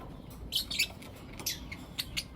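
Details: Morning chirping from pet lovebirds of blue opaline and lutino opaline colouring: about half a dozen short, shrill, scratchy chirps spaced unevenly over two seconds above a faint low background hum.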